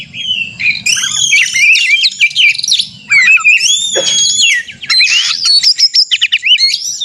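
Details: Fighting song of a caged white-rumped shama meant to rile rivals into singing: rich varied whistles, buzzy notes and fast chattering bursts, with a short pause near the middle and a faint low hum beneath.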